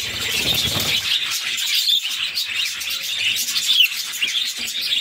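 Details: Six young budgies are fed by their mother in captivity and call constantly: a scratchy, buzzy, high chatter with a few brief squeaky notes. A low rustling thump is heard in the first second.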